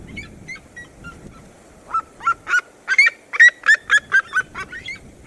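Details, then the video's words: Red-legged seriema of the Cerrado singing: faint yelping notes at first, then a loud run of sharp, ringing, harmonic yelps spaced about a quarter second apart, with a low background rumble. "CHAMADO E CANTO EM DUETO DA SERIEMA - SERIEMA DO CERRADO"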